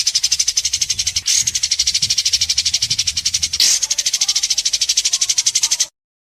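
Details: White-rumped shama in an Indonesian singing competition, judges scoring, giving a sharp besetan with mimicked phrases: a fast, even run of high buzzy pulses, about three per second, briefly broken twice by louder rasping notes, ending abruptly.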